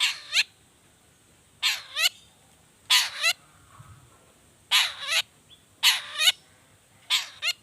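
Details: Long-tailed shrike singing in the 'toet toet' variation style, a lure recording for other shrikes: harsh, buzzy double notes with swooping overtones, repeated about every second with short silent gaps, over a steady faint high hiss.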